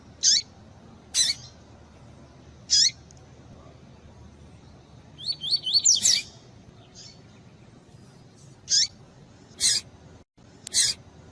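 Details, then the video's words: Repeated high, sharp call notes of a double-collared seedeater, spaced one to two seconds apart, broken midway by a fast run of rising whistled 'tui tui' song notes, in a recording edited to stimulate males. "COLEIRO TUI TUI PURO COM PIADO DE FÊMEA DE COLEIRO ESQUENTAR COLEIRO"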